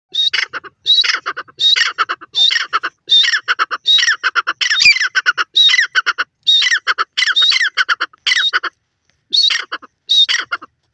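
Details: Grey Francolin, named locally as dakhni teetar, calling loudly in repeated harsh, squawking phrases, bursts of rapid notes about every second with brief pauses, strong and clear with no other sounds.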